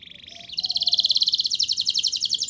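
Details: Canary song used to prompt young canaries, a brief low note followed by a fast, dense high trill of rapidly repeated syllables.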